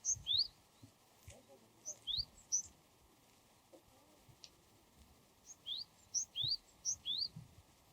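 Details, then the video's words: Wild Japanese tit singing. Short bright two-note phrases are delivered in bursts: a rising whistled slur followed by a higher sharp note, repeated several times with pauses between bursts. A faint low rumble of background noise runs underneath. "シジュウカラの鳴き声08【鳥の鳴き声】 birdsong of Japanese Tit Parus minor"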